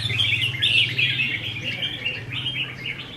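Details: Red-whiskered bulbuls kept in cages, practicing competitive singing on 15 May 2021: a continuous run of rapid, sweet warbled notes and chirps, rising and falling, over a steady low hum.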